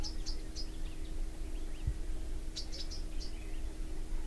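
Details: High, sharp chipping notes from a Bronze sunbird, delivered in loose series of three or four, with a few softer lower twittering notes between, over a constant low hum.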